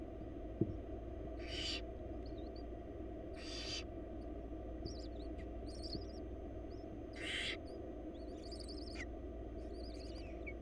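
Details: Wild barn owl nestlings in Florida beg during a feeding by their mother, giving three breathy hissing screeches a few seconds apart, while faint high chirps from another bird are heard in the background.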